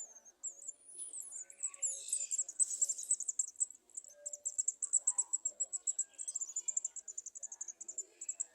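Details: Garden sunbird young at the nest being fed by adults standing below: a rapid, very high-pitched buzzy chatter of thin notes, rising in intensity midway, with faint lower chirps underneath.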